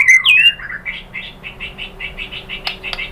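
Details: White-rumped shama song used as a lure to provoke other shamas into answering; a sharp upward-sweeping whistle opens, followed by a fast run of short, chattering high chirps, about three a second, with two brief clicks near the end.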